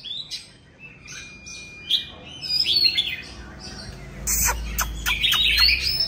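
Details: Oriental magpie-robin, a mature wild-caught bird, in loud song: scattered sweet whistles and one long level note, then a burst of rapid twittering phrases. Sharp clicks and thumps interrupt midway.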